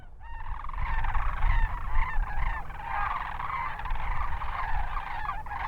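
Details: A large flock of wintering Sandhill Cranes near Hatch, Garfield and Rincon in New Mexico's Hatch Valley calls together in a continuous wash of rolling, trumpeting rattles, over a steady low rumble of wind.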